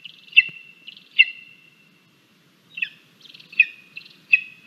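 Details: Crabby lesser spotted eagle chick calling at the nest during a breakfast feeding of two frogs and a vole, Latvia, 17 August 2022; piercing whistled yelps with stuttering trills between, a short pause midway, then a renewed series.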